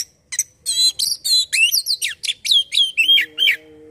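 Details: Oriental magpie-robin song for coaxing the bird to sing: dense, rich burst of buzzy and whistled notes with quick downward slurs, about a dozen notes in four seconds, with a steady low hum near the end.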